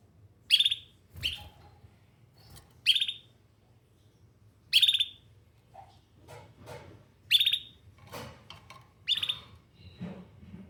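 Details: Canary calling with a series of short, sharp high chirps at irregular intervals, mixed with softer faint noises and low background hum.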